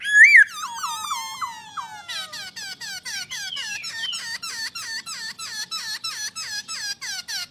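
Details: A loud looping whistle opens this masked laughingthrush phrase, followed by a falling run of notes and then a steady train of rapid, evenly spaced hooked whistles.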